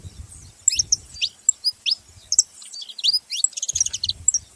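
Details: Group of saffron finches calling, spaced high downslurred chirps at first, then a quick run of clustered twittering notes near the end, with a low rumbling background.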